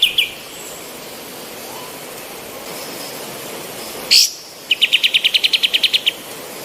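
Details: Training recording of an active female white-eared bulbul: two faint notes, a long hissy gap, one loud sharp note, then a quick rattle of about twelve crisp chattering notes.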